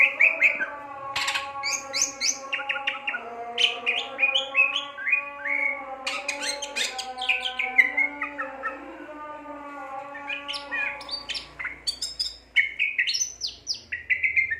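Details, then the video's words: Greater green leafbird singing vigorously (gacor): a long, varied stream of sharp chirps, whistled slurs and rapid high notes, with brief pauses, over a steady low humming tone in the background. "burung cucak ijo gacor"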